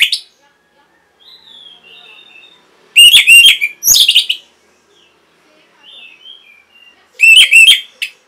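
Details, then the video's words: Orange-headed thrush singing vigorously, a recording meant to stimulate and train caged birds: soft, thin whistles between loud, rapid bursts of ringing, rolling notes, three main phrases spaced a few seconds apart. "MASTERAN & PANCINGAN ANIS MERAH GACOR INI ATASI BURUNG MACET BUNYI"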